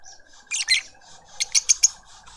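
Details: A lovebird juvenile is fed by its family in a suburban garden in Pretoria, South Africa. Two harsh, shrill squawks come first, then a quick series of four high, sharp chirps, over faint garden twittering.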